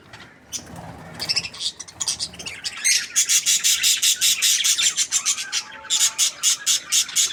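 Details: Happy budgie starting with soft scattered chirps, then breaking into a fast run of sharp, evenly pulsed high notes, several per second, pausing briefly before resuming the rapid clicking chatter.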